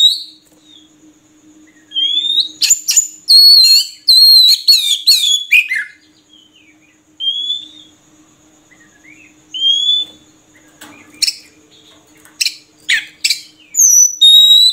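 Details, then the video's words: An Oriental magpie-robin, known as murai kampung, sings scattered phrases: sweet rising whistles, a dense run of varied fluty and buzzy notes, then sharp clicks and chatters, with quiet gaps and a faint steady hum. "Suara Burung Murai Kampung"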